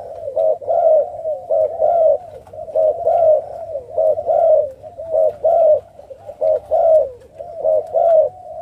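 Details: Spotted doves of Malaysian and Thai strains in breeding cages at a bird farm in Cà Mau, 6 September 2023, giving soft, hollow, mellow coos in quick, slightly uneven runs of two- and three-note phrases, like a group cooing together.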